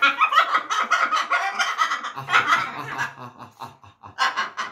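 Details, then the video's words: A blue-and-yellow macaw talking, laughing and saying its own name: rapid harsh chuckling bursts in a steady stream, a short pause near the end, then more loud laughing notes. "burung ketawa ngomong nama sendiri"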